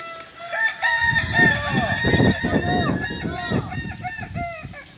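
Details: Kukuak Balenggek roosters at a group training session in Ampang Kualo, Solok city, crowing in long, wavering, multi-note tones with stepped pitch changes, several birds overlapping, over a bed of low thumping noise and background clucks.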